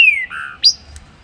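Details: Green-winged saltator (trinca-ferro) in morning song: a clear whistle sliding down, a lower held note, then a sharp upward-sweeping high note ending a short phrase over quiet background.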